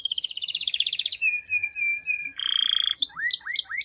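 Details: Singing canary: a fast high trill, a sustained level whistle, a dense buzzy roll, then several quick rising notes.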